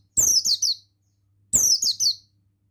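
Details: Buxtoni Oriental white-eye, a male, used as a training lure to prompt singing: two rapid strings of three high, sharp, falling twittered notes, repeated after a pause, with a soft low hum beneath.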